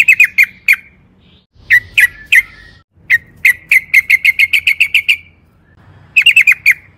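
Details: Lure song of a yellow-vented bulbul: short bursts of snappy chirps separated by pauses, one burst running into a quick string of about ten even notes, over low hum.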